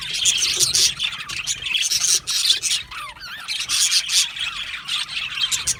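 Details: Aviary budgerigar colony chirping happily; many birds chatter at once with harsh squawks, and around the middle a single clearer warbling trill winds up and down over the crowd.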